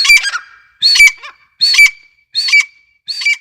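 Grey francolin giving loud, harsh, high-pitched squawking notes, five bursts about every 0.7 seconds, each ending in a sharp squeaky peak.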